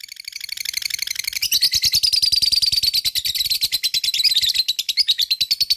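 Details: Lovebird giving its long 'ngekek panjang' trill, used to excite other lovebirds into singing; rapid, buzzy high chatter that swells after the first second into a dense, fast stream of repeated notes, about three per second of pulses, continuing to the end.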